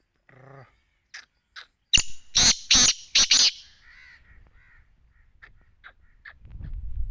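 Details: Black francolin (Sindhi teetar) with a burst of four loud rasping notes in rapid series, preceded by a short low buzz and faint ticks, followed by soft chirps and rising low rumble.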